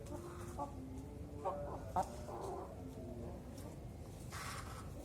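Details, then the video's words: Young zebra dove, four to five months old, being trained to sing while hung high on a pole at a bird farm; soft tonal cooing notes in short, repeated low phrases over a steady rumble of background noise and other birds. "Melatih DERKUKU MUDA di kerekan"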